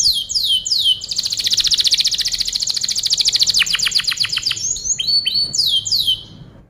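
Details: Canary singing as a tutor for other birds. A few downslurred whistles open into a long rapid trill that slows into separate pulses, followed by short rising chirps and more falling slurs.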